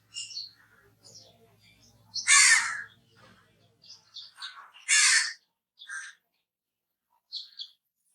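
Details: Crow calling: harsh, broadband caws in short bursts, two loud ones about 2.5 seconds apart among fainter scattered calls, with a low hum early on.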